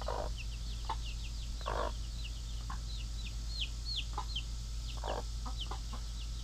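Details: Mother hens kept as pets tend their young chicks in the pen; brief low clucks come in small bursts while chicks give high, downward-sliding peeps throughout, with a constant low hum in the background.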